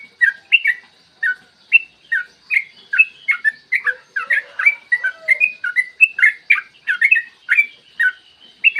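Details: Long, rapid yellow-vented bulbul song meant to coax other bulbuls into singing, clear morning recording: a steady stream of bubbly, slurred chirps repeated several times a second, with a few faint lower notes midway.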